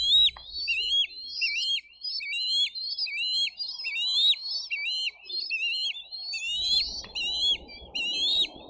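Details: Nestling bald eagles in Dade County, 22 May 2023, fighting over fish delivered by a parent; rapid, insistent series of high piercing squeals, each with a steep downward drop, with low rustling noise near the end.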